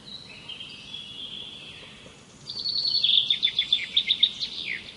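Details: Thin sustained whistles lead into a loud, fast trill of repeated high notes that ends in a descending slur. Birdsong heard outdoors against faint background hiss.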